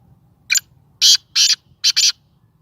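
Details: A pet Sindhi black francolin gives its first call, a rasping five-note phrase. A clipped opening note leads into two broad harsh notes and a doubled ending, all bright and buzzy, with a calm background.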